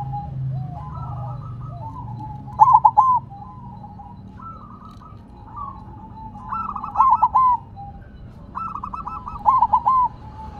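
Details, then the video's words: Zebra dove, silver perkutut variety, singing on the ground: three loud bursts of clipped coos spaced a few seconds apart, each led by a softer bubbling trill, over continuous faint cooing of other doves. "Perkutut Silver Tetap Gacor Walaupun Ditaruh Tanah"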